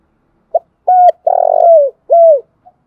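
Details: Decoy song of a spotted dove for luring birds: brief opening note, even coo, long buzzy rolling coo that falls at its end, and a last bowed coo, ending with a tiny soft note.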